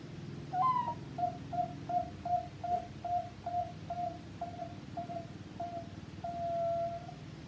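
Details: A 3-month-old captive zebra dove gives a quick run of about a dozen soft, hollow coos, three per second, ending on a longer note, over a low hum and faint high ticking.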